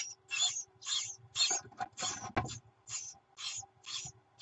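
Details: Great tit chicks in the nest clamour for food when the mother brings it, a June recording: noisy rasping bursts about twice a second with short gaps, plus a sharp knock and scuffling midway.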